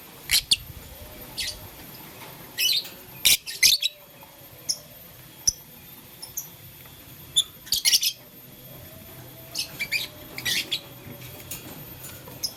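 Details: Blue, lutino and green lovebirds chirping while playing with a flower in the morning; short sharp high chirps in scattered bursts of one to three notes, with quiet gaps and faint background hiss between them.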